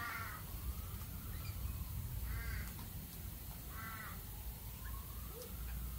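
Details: Galah in Australia uttering three harsh, grating screeches about two seconds apart. Constant low rumbling and hissy background noise runs throughout.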